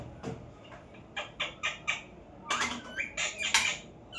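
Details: Parrot making short clipped chirps at first, then a burst of louder, rasping, broadband screeches in the second half, with brief pauses between calls.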